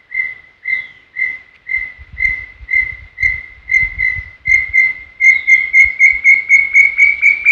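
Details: Brown tinamou from Serra do Brigadeiro State Park giving its full song: a long series of pure whistles that speeds up from about two per second to a rapid run, the notes growing louder and creeping higher in pitch toward the end.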